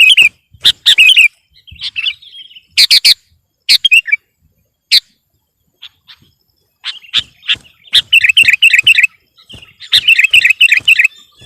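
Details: Sooty-headed bulbul singing loudly to pressure a rival, with scattered sharp notes and clicks early on, then dense, rolling warbled phrases toward the end.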